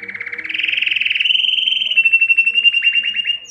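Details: Belgian canary singing to arouse females for breeding: a rolling trill rising in pitch, then a long steady fast warble holding level, rhythmic and continuous.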